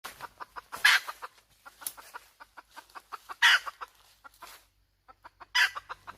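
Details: Domestic hen calling: runs of short, clipped clucks broken by three loud, harsh, rasping squawks at irregular spacing, with brief quiet gaps between the bursts.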